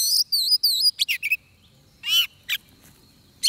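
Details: Oriental magpie-robin singing at a trapping setup: three repeated looping whistled notes, then short buzzy chirps and a few scattered sharp calls with gaps between.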